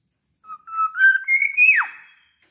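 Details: Clean single song phrase of a black-naped oriole: a soft lead note, then flute-like whistles ascending stepwise to a sustained peak before a rapid falling glide; otherwise quiet.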